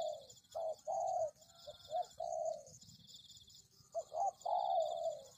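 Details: Lure recording of a spotted dove. Loud, hollow, low coos come in quick groups: short notes followed by longer drawn-out ones, with a pause midway. A continuous shrill insect-like whine sits behind them.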